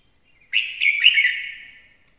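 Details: Red-whiskered bulbul singing: a single loud, slurred, warbling phrase of about one and a half seconds, rich and slightly buzzy, fading at the end; otherwise quiet.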